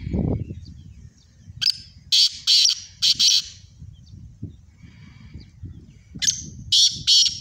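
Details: Two black francolins in a calling contest, giving loud harsh grating phrases of several rapid clipped notes, one phrase early and another late, over a low rumbling background.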